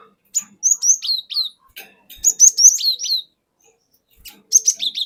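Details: Cinereous tit from the forest sings a lure song played to provoke other birds: clear high whistled notes, each sliding downward, in three quick phrases separated by short pauses.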